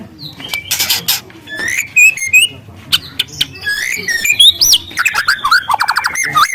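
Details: Juvenile white-rumped shama in the wild, singing canary-like phrases: scattered crisp chips and short whistles building to a dense, rapid stuttering trill of high notes.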